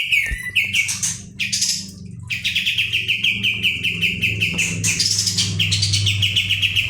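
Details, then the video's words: Pied Triller kept as a tutor bird, singing energetically to excite other birds: rapid chattering series of sharp repeated notes, interrupted by brief high scratchy bursts, over a steady low hum with a faint thump near the start. "kapas tembak gacor roll ngebrn nembak.. masteran ampuh pendongkrak emosi burung lain"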